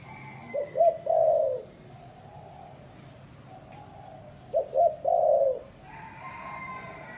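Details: Spotted dove cooing twice, each phrase two quick low hoots then a drawn-out falling coo, phrases about four seconds apart; faint higher bird chirps and a steady background hum between them.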